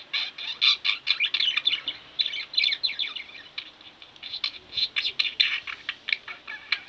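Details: Budgerigars kept as pets keep up continuous, busy chirping and chattering, dense high tweets packed closely together with hardly a pause throughout.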